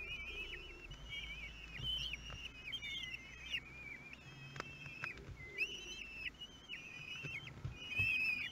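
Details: Nestling kestrels in Théding, France, calling while being fed at the nest on day 13, 5 June 2022. Shrill, wavering whistled cries come in quick overlapping bursts, with occasional lower soft notes between them.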